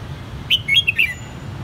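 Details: Pet red-whiskered bulbul from Saigon, Vietnam, reared from a white-cheeked young bird, sings a brisk run of four or five clear, slurred whistles, rising then dropping, with a soft low hum behind.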